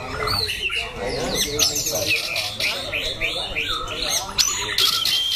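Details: A loud-voiced contest white-rumped shama sings a busy stream of looping whistled notes and trills, with dense chatter throughout and a sharp burst near the end.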